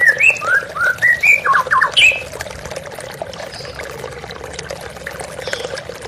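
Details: White-rumped shama in a therapy recording with running water: a quick run of about six rising whistled notes and a harsh burst in the first two seconds, then only the water hiss.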